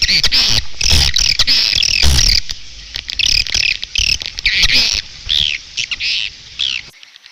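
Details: Edible-nest swiftlet lure recording: dense, continuous high twittering and buzzy chattering in overlapping bursts, with some soft low thumps early on.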